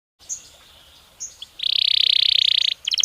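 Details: Belgian canary singing naturally: a few thin high notes, then a long dense buzzy trill held over a second, followed by a sharp rapid burst of high chips.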